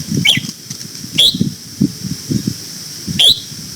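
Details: Red-whiskered bulbul in morning voice training, singing the old-forest double-note style. Three short, sharp whistled notes are spaced about a second apart over low thumping and rustling sounds.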